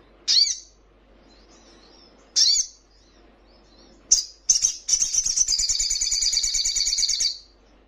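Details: Sogon, the crimson sunbird, in a recording meant to get caged birds answering and wing-quivering: two isolated sharp high chips, then a long sustained ringing trill with a twittering edge lasting nearly three seconds.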